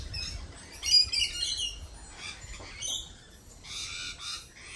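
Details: Lorikeets at a cafe, scattered shrill squawks and chattering notes, with a louder cluster of harsh calls toward the end.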